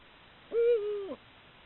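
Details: Female Eurasian eagle-owl in breeding season, recorded by camera trap in the evening: a single loud hoot about 0.6 seconds long, steady then slightly falling, with a brief upturned ending, over a quiet background.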